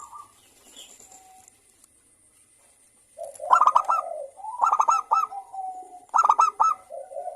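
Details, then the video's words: Local zebra dove, singing lively at dawn: faint cooing, a quiet gap, then three emphatic clusters of rapid clipped notes, each tailing into a softer lower coo. "perkutut lokal gacor suara Rame manggung bunyi di pagi hari"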